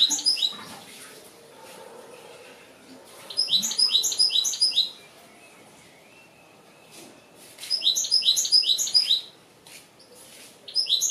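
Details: An Algerian European goldfinch sings in two bursts of fast, tinkling, twittering notes lasting about a second and a half each, separated by quiet pauses.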